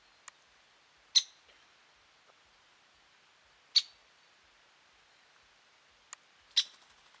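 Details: Great spotted woodpecker at Lake Tavatuy, Middle Urals, Russia, on 17 June 2017, giving sharp, high single 'kick' notes at irregular gaps of a few seconds, with fainter ticks between; otherwise quiet.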